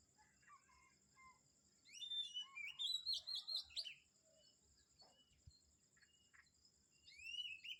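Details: Morning birds at Kamphaeng Saen, Thailand: after a quiet start, a burst of sharp high chirps and twittering around the middle, then a brief rising whistled phrase near the end, with a constant high hum behind.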